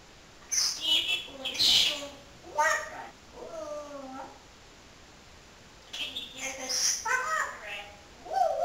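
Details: Indoor pet parrot talking: harmonic, voice-like syllables with wavering pitch, some drawn-out and slightly meow-like, in two bursts separated by a quiet pause, plus a few sharper high squeaks.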